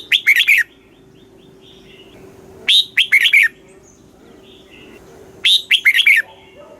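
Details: Red-whiskered bulbul from Thailand giving southern-style master song meant to rouse caged birds and teach youngsters; three matching phrases of quick, cheerful whistled notes repeated roughly every two and a half seconds, with soft chirps between and a constant hum.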